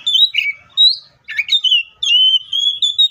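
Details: An Oriental magpie-robin delivers its fighting song, meant to provoke rivals into singing: rich whistled phrases with buzzy, slurred notes and a long steady whistle at the end, in short bursts separated by brief pauses.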